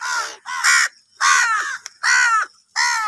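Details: Angry crows squabbling over food give loud, raspy caws, five harsh calls in three seconds, each about half a second long, separated by brief pauses.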